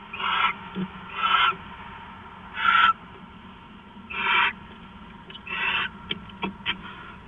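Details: Two owls bonding at the nest in the early morning of September 4, 2013, at 5:43. The clip has five rasping, hissy bursts at uneven intervals, then a run of short sharp clicks and taps near the end.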